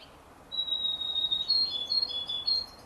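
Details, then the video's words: Canary x European goldfinch hybrid chick, 33 days old: a long thin high whistled note held steady, then a run of short chirping notes alternating between two pitches, in a quiet room. "canari x chardonneret a 33 jours"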